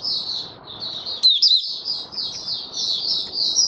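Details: Continuous thin, high warbling from a male white-eye in opening song, with a sharp click and a short bright squeak about a third of the way through.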